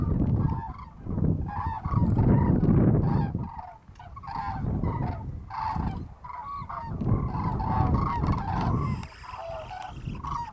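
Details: Massed Common cranes migrating across the Strabrechtse heide on 5 March 2013 give a near-continuous chorus of loud bugling calls, bursts of several notes rising and falling in waves, against strong wind rumble.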